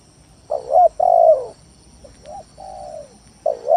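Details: Lure song of a spotted dove meant to provoke rivals into calling: soft, low cooing notes, a hurried double coo and a long drawn-out falling coo, then a quieter repeat, against a faint steady hum.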